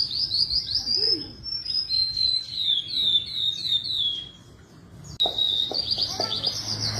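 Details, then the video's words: Javan bush lark singing a sustained high series of buzzy, chirping notes, dipping slightly in pitch, with a brief gap before the chattering resumes; faint low background hum. "branjangan gacor"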